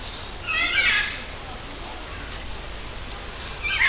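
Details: Macaws in an aviary at Parque das Aves, Foz do Iguaçu, Paraná, Brazil: a harsh grating squawk, then a pause of about three seconds and the start of another rough call.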